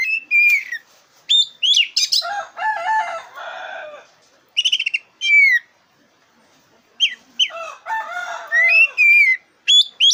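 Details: A black-breasted oriental magpie-robin's song for provoking contest birds: dense, rich phrases mixing lower warbled notes, falling whistles, upswept chips and quick rattles, nearly continuous with one short pause.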